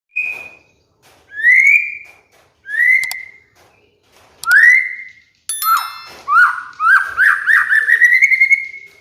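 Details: White-rumped shama, a cage bird, in a lure and master song for training moulting birds: a clear held whistle, then loud rising slurred whistles about every second, ending in a fast chain of upward-sweeping notes with sharp metallic ticks.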